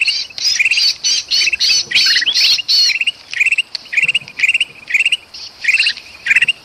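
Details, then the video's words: Agitated kutilang emas bulbul and a distressed pinched bulbul, Sumatran forest, used for luring birds; harsh rasping bursts at first, then spaced pairs of bright chirps about twice per second. "suara kutilang emas ribut sama kutilang kejepit paling ampuh pikat burung"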